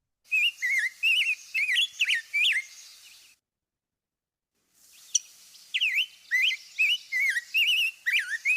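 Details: ['Rose-breasted Grosbeak song played back in a bird song ID course on old-field and shrubby-area species: two bursts of rapid, run-together whistled phrases, rich and clear without any buzzy quality, tempo likened to a Scarlet Tanager, separated by a brief pause.']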